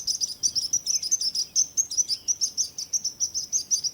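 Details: Fast, even bird chirping, high and piercing, about five notes each second over a faint background hiss.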